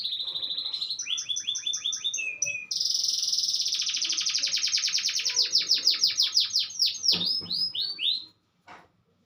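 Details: Canary singing in the afternoon with varied phrases: short repeated whistles, then an extended rapid high trill with a pulsing rhythm. It ends in a few sweeping notes before falling silent.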